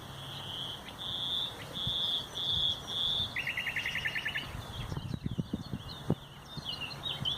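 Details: Nightingale song recorded 30 April 2021: five long, level, pure whistles repeated about every half second, then a fast, even, buzzy trill of rapid notes, ending in varied chirps and ticks. A low rumble sits underneath.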